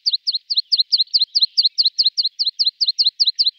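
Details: Rapid, even trill from a tree pipit: about seventeen double notes, each a bright high note falling into a lower one, repeated close to five times a second without a break.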